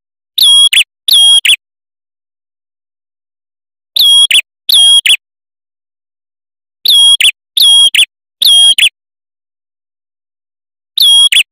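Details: Male red-headed prinia (prenjak kepala merah), used as a lure for trapping and as song-tutoring audio: paired sharp, high whistled notes with a ringing metallic tone, in bursts of two or three repeated every few seconds. Silence between bursts.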